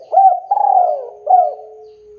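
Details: Spotted dove lure call meant to draw rival birds into calling back: three soft, low, hooting coos, the middle one longest and slurring downward, followed by a faint steady hum.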